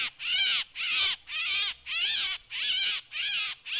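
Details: Rasping drongo calls used as a lure: six harsh, scratchy notes, each arching up and down in pitch, delivered at a fairly regular pace with short pauses between them and a quiet background.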